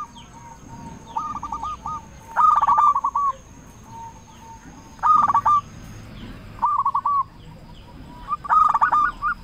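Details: Zebra dove of a local strain singing loudly as a lure to get other zebra doves singing. Separate bursts of rapid, bubbling coo notes come every second or two, over a faint hiss and a thin steady tone.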